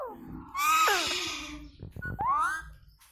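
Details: Indian ringneck parrot talking: harmonic, speech-like phrases with rising and falling glides, a loud sweeping segment early then a short rising phrase near the end, in a small indoor room.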